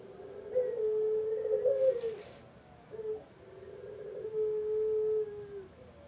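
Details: Barbary dove calling, used as a lure for zebra doves: two long, drawn-out, low rolling coos, the first with a brief rising start, over a steady high-pitched electronic whine and a short burst of hiss.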